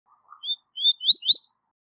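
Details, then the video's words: Tui tui zel zel song of a double-collared seedeater, a top-level song meant for training young birds: one low soft note, then four bright slurred whistles climbing higher with each phrase. "Canto Tui Tui Zel Zel De Alto Nível - Canto Ótimo Para Encarte De Coleiros e Papacapim"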